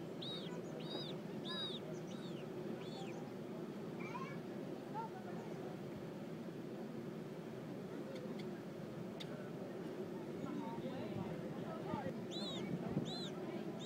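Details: Magellanic penguin chick at the San Francisco Zoo, being fed by its mother, gives thin, high, arched squeals in quick bursts at the start and near the end, over steady wind and surf rumble.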